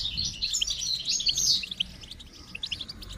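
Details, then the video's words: Brief stretch of goldfinch twittering: quick tinkling high notes fading into scattered chirps. "Motivating Song of the Goldfinch"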